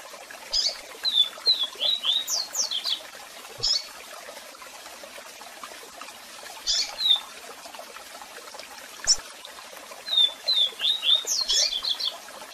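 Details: Double-collared seedeater in strong song with calls, played for song training: a loud phrase of rapid downslurred whistles and high sweeping notes, a pause with single chips, then the phrase repeats. A waterfall flows continuously.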